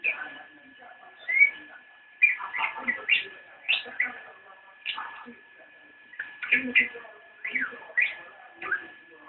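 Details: Javan white-eye singing in the nyinden style: bright, rising chirped notes in short bursts separated by brief pauses, over a steady faint hum.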